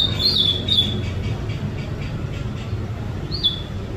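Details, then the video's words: A white-rumped shama sunbathing in Indonesia gives clear whistled notes with quick slurred turns at the start, then one more rising-falling whistle near the end, over a loud rumbling traffic-like background. "jemur murai"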